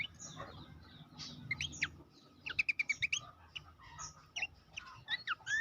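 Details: Horsfield's babbler song for training competition songbirds, fairly quiet: scattered whistled notes, then a rhythmic run of about seven evenly spaced chirps, followed by more slurred whistles over soft hiss.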